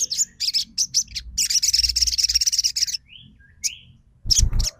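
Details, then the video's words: Crimson sunbird song used as a lure to get silent birds singing: rapid high, thin chirps and buzzy trills in a dense burst, a pause with two rising slurred notes, then a final chirpy burst over low thumps. "PANCINGAN SOGON TROTOL MACET BUNYI LANGSUNG RESPON & NYAUT!!"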